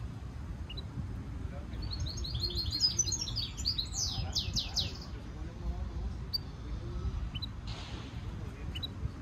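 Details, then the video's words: Hybrid goldfinch mule giving a training stimulation song: a dense twittering run of high notes building into loud falling sweeps, then sparse single chirps and a soft hiss, over steady low noise. "European goldfinch Singing Mule -Training - Jilguero Mulo - Carduelis carduelis - Stimulation song"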